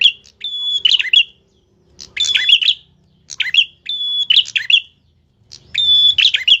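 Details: Lively tilek song with a sharp tone: five phrases, each a long level whistle that breaks into rapid buzzy, twittering notes, coming about every one and a half seconds with brief silences between.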